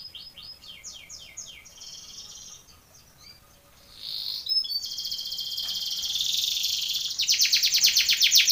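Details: Canary singing a contest training song, Belgian canary: quiet descending sweeps at first, a pause with faint sounds, then a rising loud pulsed roll building into a strong trill at the end.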